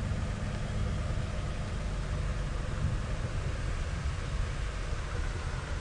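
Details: A deep, steady engine rumble of an idling vehicle dominates, with no animal sounds.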